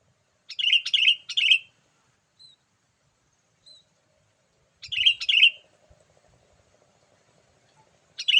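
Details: Lively calls from a sooty-headed bulbul, used to attract wild birds: a quick run of three bubbly slurred notes, a pause, then two more, with a low hum in the background and a third phrase starting at the end.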